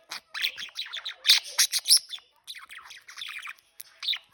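A budgerigar chatters in quick, bright chirps and squeaky warbles, tumbling rapidly with brief pauses.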